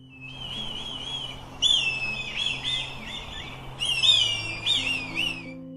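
A red kite gives high, wavering whistles in three drawn-out, quavering bouts over about six seconds, against a faint low musical hum.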